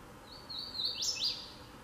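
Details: A Hooded Warbler in Maryland sings clear, high whistled notes that build into a quick, emphatic upslurred flourish near the end, over a faint background hiss.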